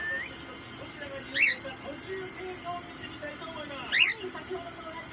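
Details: A whiteface cockatiel, newly acquired, gives two short, bright, scratchy chirps about two and a half seconds apart, over quiet people talking in the background; its sex is questioned.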